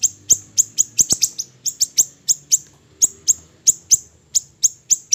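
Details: Small siri-siri bird, a recording used for training songbirds, giving a steady series of thin, piercing high chirps, each dropping slightly, about three to four per second, with a few louder clicks and a quiet low hum.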